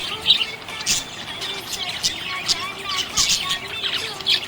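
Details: Cheerful budgerigar chirping with sharp, bright ticks and short warbles coming in irregular bursts over a faint, steady hum-like tone.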